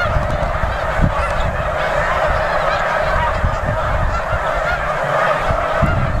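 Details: At Bombay Hook National Wildlife Refuge, Delaware, USA, in early December 2006, a huge snow goose flock produces unbroken clamorous honking, countless voices blending into one thick chorus with faint low bumps.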